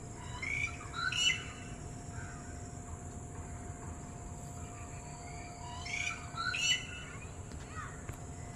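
A red-whiskered bulbul gives two short bursts of bright, chattering whistled notes about five seconds apart, over a steady low hum.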